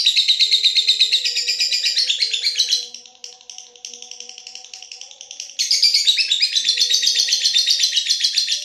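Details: Lovebird singing at night in the long ngekek style: dense, unbroken high chattering trills that fade briefly mid-phrase, then return loud and buzzy, with a faint steady low tone of background music underneath.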